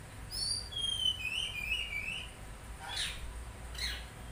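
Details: Oriental magpie-robin giving high whistles that slide downward into a warbled phrase, followed by two harsh, scratchy notes against low background rumble.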